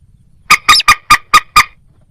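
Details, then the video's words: Moorhen producing a rapid series of six loud, hollow, honking clucks at an even pace over about one second. "ডুংখোর পাখি ও খেনি পাখির ডাক(moorhen @ little cracked bird sound)"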